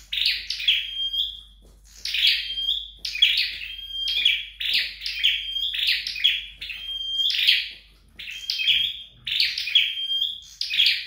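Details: Home-trained red-headed flowerpecker giving about ten rhythmic phrases, each a buzzy high burst leading into a level, thin whistle, with short pauses between them.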